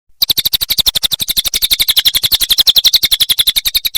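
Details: Cililin song used as a training recording for songbirds such as magpie robins, canaries and lovebirds: a rapid, steady train of sharp high chirps, about ten per second, running without a break.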